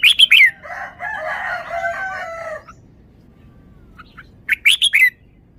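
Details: Red-whiskered bulbul performing its song style, a far-carrying, melodious wild song: short bright warbled phrases of three or four sharp notes open and close the recording. Between them a longer, lower harmonic crowing-like call from another bird is heard.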